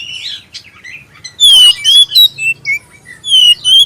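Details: Oriental magpie-robin with a black breast, clear lure song for prompting other magpie-robins to sing: soft early notes, then a few loud, pure whistles gliding up and down, separated by brief pauses, faint low hum behind.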